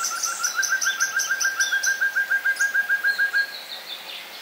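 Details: Such's antthrush in Santa Bárbara, Minas Gerais, Brazil, sings a steady run of about twenty low, hollow notes, roughly six per second, while another bird adds high, thin chips.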